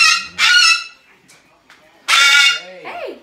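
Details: Pet Umbrella cockatoo, a 23-year-old rescued female, lets out two loud harsh squawks about a second and a half apart. A quieter, lower swooping sound follows at the end.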